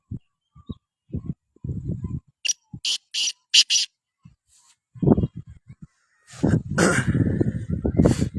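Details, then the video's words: Sindhi black francolin (kala tetar) from Pakistan: a quick run of about five loud, harsh, grating notes in the middle, with low muffled thumps and rumbles before and a noisy burst of sound after. "Sindhi Kala Tetar Awaz"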